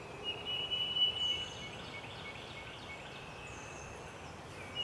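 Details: At Clyde Shepard Nature Preserve, March 28, 2017, an Eastern phoebe gives one brief harsh, buzzy phrase at the start, followed by quiet hissing background with faint distant bird notes.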